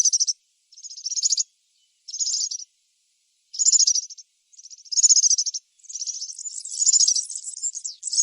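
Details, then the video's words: In the wild, a European serin sings short bursts of thin, high, fizzing trills separated by gaps, then shifts into a longer, almost continuous jingling run near the end. "طائر البسبوس السورا في الطبيعة_serin cini dans la nature"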